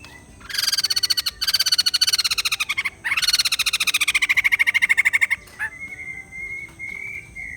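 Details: White-crested laughingthrush delivers two long bursts of rapid, pulsed cackling chatter with a short break between. These are followed by a few separate notes and a thin, sustained whistle-like tone.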